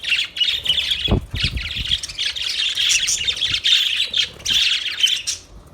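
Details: Budgerigars chirping in a continuous scratchy warble of buzzy notes and chatter, several birds together, with a few low knocks or thumps about one second in.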